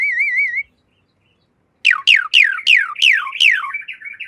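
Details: Asian pied starling master song for training caged birds: a warbling whistle, a pause, then six loud, descending slurred whistles about every third of a second that run into a scratchy chatter.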